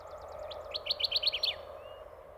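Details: Male Kirtland's warbler (Setophaga kirtlandii) singing from a treetop in spring on its nesting grounds, claiming territory after migrating from the Bahamas: a short, loud burst of sharp chips speeding up into a rich, emphatic ending, over a low hum.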